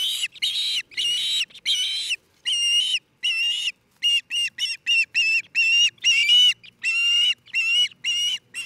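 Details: At a nest in Charlo, Montana, in late June 2018, an osprey delivers loud, piercing whistled notes, some drawn out and others clipped short, in an uneven run lasting nearly nine seconds.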